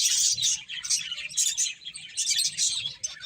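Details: Finches chirping while eating, with clusters of high, bright twittering notes in quick bursts separated by brief dips, many birds calling at once.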